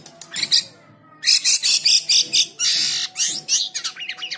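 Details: White-shouldered triller in full song for training other birds: after a few thin chirps and a pause, a series of loud harsh rasping bursts about every quarter second, then a longer scratchy note and quick chips.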